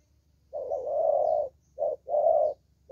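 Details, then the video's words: A spotted dove gives a long, rich, hollow coo followed by a short note and another sustained coo, deep and even in tone over a quiet background. "Thổ Tơ Tốt Tiếng"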